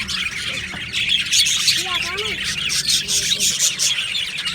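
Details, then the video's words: Happy budgerigars in an aviary colony, their high, busy chirping chorus running throughout, with a few lower warbling, wavering notes briefly standing out near the middle. "Budgie Sounds for lonely Budgies | Happy Budgies Birds Sounds | birds Chirping Sounds"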